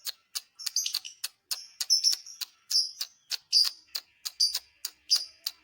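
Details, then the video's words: Lovebird song used to provoke other lovebirds: a long series of sharp ticking clicks mixed with shrill squeaky chirps and short high whistles, steady and chattering throughout. "dijamin burung Lovebird lain emosi"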